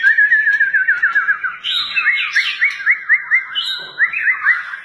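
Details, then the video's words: White-rumped shama, a 'fighter' bird with varied fighting styles, repeating quick upslurred whistled notes about four per second in a rolling series, with a few higher scratchy notes on top. "MURAI BATU FIGHTER memiliki berbagai gaya tarung"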